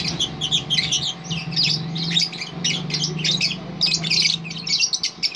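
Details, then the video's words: A lovebird pours out its long ngerol song, a continuous stream of scratchy, squeaky, chattering notes with barely a pause, backed by a faint steady hum indoors. "BURUNG LOVEBIRD NGEROL PANJANG"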